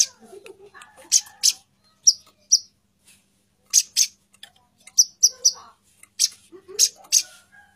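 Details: Female plain-throated sunbird calling for the male, giving bursts of shrill, high-pitched chips, some doubled or tripled, separated by short pauses, with faint low murmurs early on.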